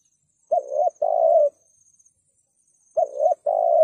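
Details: In the thúc gù style, a spotted dove coos to provoke wild birds. Two phrases sound about two and a half seconds apart, each a short rising hoot running into a longer mellow coo, with a faint high whine behind.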